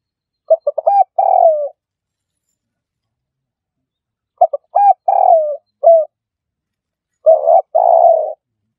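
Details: Spotted dove, played as a trapping lure, repeating its cooing phrase three times at intervals of a few seconds. Each phrase has brief stuttered notes leading into a longer falling coo, and the middle phrase ends with a short extra coo.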